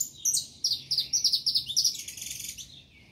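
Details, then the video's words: Saffron finch delivering a fast series of crisp, high chirped notes, about eight in a row, trailing off into a softer buzzy chatter. "canário da terra cantando"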